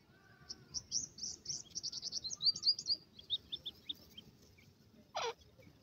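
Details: Grey francolin chicks playing in the grass make a quick run of thin, high chirps that rise and fall, with a single louder downward sweep near the end over a low background rumble.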